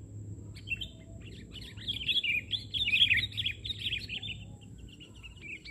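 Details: Sooty-headed bulbul song from an Indonesian bird-trapping session, a dense, jumbled tangle of rapid chirping and warbling notes that swells in the middle and then fades.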